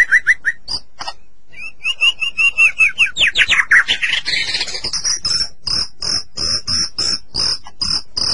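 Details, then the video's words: White-rumped shama in captivity delivering a varied song used to encourage other shamas to sing: short whistles, a rising buzzy rattle, then a steady series of high clipped notes repeated about three per second. "Suara Burung Murai Batu Masteran Durasi Panjang"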